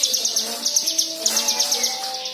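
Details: White-eye song used to coax other birds into singing, a quick run of sharp, high chirps about four per second, with soft lower whistled tones in the background.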